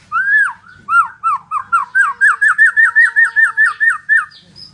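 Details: Murai batu, the white-rumped shama, in energetic lure song: a quick string of about fifteen loud downslurred whistled notes, evenly spaced and accelerating slightly, over faint background rumble.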